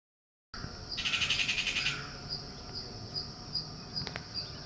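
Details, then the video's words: Unidentified bird with a peculiar voice: a single harsh, rapidly pulsed rattling burst lasting about a second, over a steady high-pitched insect-like chirping background that pulses regularly throughout. "Unknown bird with peculiar voice"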